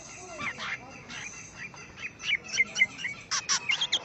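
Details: Greater green leafbird singing against a rival, scratchy chirps and sharp notes at first, then faster clipped whistles and buzzy bursts crowding together toward the end.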